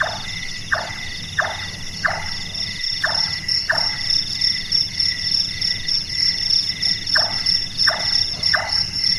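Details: A series of about six wooden chonk notes from a night-active large-tailed nightjar, likened to someone doing carpentry, then a pause and four more knocks, above a loud unbroken insect chorus.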